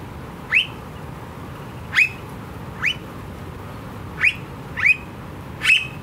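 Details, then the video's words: Very vocal Australian blue-faced honeyeater uttering six short harsh queet-like calls, each a sharp rising-then-flattening squawk, spaced about a second or more apart against a low steady hum. "Australian Bird Calls - The Very Noisy Blue-faced Honeyeater"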